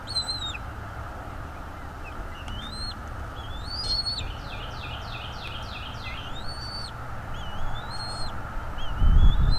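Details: Bald eagle at the nest, filmed by nest camera on 23 April 2021 at 07:25: a rapid run of about seven descending, chattering high notes, followed by scattered long whistled calls with falling ends; a knock near the close.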